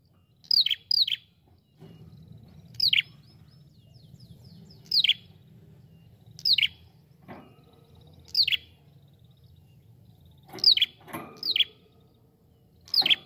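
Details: Ashy prinia, named prenjak kepala merah, calling a long series of high descending chirps, singles and pairs, roughly every two seconds, with a low rumbling background and faint clicks.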